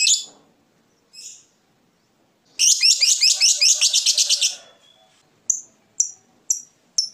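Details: Fighter lovebird alternating ngetik and ngekek, sung to provoke rivals: two scattered chirps, then a two-second burst of dense, harsh, rattling trill, followed by four short, sharp ticks about half a second apart.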